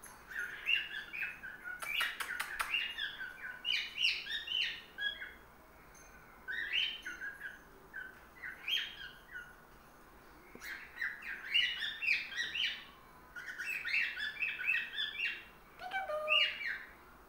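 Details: Male cockatiel, five months old, on a playtop cage with other cockatiels, starting to show off his song: bursts of bright chirps, warbles and whistled notes.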